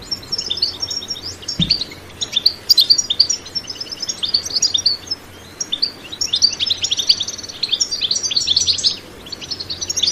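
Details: European goldfinch singing a lively batbata-style twittering song, free of added sound effects: dense rapid chirps, trills and short whistled notes in quick bursts, with brief pauses near 4 and 9 seconds, a faint low hum and a single thump early on.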